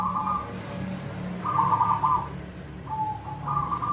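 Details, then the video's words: Silver zebra dove singing in the koong style: warbling, quavering coos, one longer phrase in the middle, and a thin lower note before a final coo, over a background rumble. "perkutut silver gacor suara koong"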